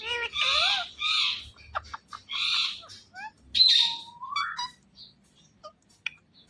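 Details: Indian ringneck parrot uttering raspy squawks and wavering harmonic notes, then a long rising whistled glide followed by a few faint clicks and chips.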